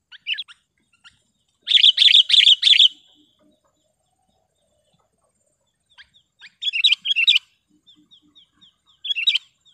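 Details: Sooty-headed bulbul with a sharp, clear voice, used to train caged birds and call wild ones closer; a fast run of repeated bubbly chirps, then a pause, then another burst of quick notes with scattered softer chirps.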